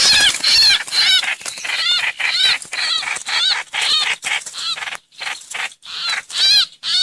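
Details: Hoành hoạch call of a streak-eared bulbul used as a lure: loud, scolding chatter made of rapid arched notes, repeated in quick bursts.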